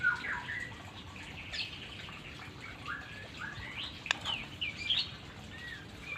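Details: White-rumped shama, kept for training toward long-breathed song in a beginner session: varied whistled phrases with sweeping rising and falling notes, spaced by short pauses, over a faint background hiss and one sharp click.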